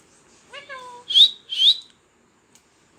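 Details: Talking pet parrot voices a short speech-like harmonic phrase, then two loud, shrill rising whistles, followed by silence.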